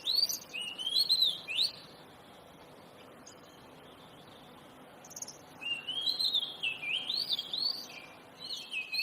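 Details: Oriental magpie-robin (kacer) singing energetically: two bursts of loud, fast, varied whistled and chattering notes that sweep up and down, separated by several seconds of near silence over a faint background hiss.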